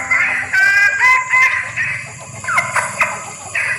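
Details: Female junglefowl in heat calling to males, recorded as a lure sound: harsh, buzzy cackling notes rising and falling, several short bursts in under four seconds, with a steady high electronic whine behind.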